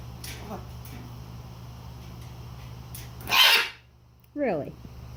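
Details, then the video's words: Pet macaw indoors while dancing, giving a loud harsh broadband squawk, then a short descending harmonic call a second later, with faint household noise and soft human voice earlier. "Macaw dancing and making sounds"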